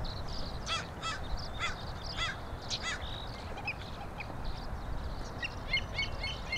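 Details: A Killdeer, recorded 26 May 2012, gives five shrill, harsh notes about half a second apart, then quieter high chirps follow over a steady low wind rumble.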